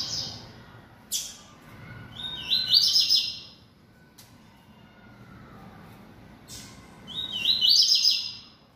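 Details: Kept yellow-bellied seedeater, bold and singing a lot, delivers two similar bright phrases about five seconds apart, each a rising whistle into fast buzzy repeated high notes, with sharp clicks between.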